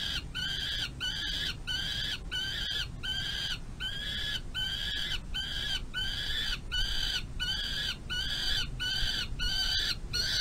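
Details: Ravenous peregrine falcon eyas during an evening feeding by the female at a nest box runway, 25 May 2022. Grating screams repeated about every three quarters of a second, about fourteen calls in a continuous series, with low hum behind.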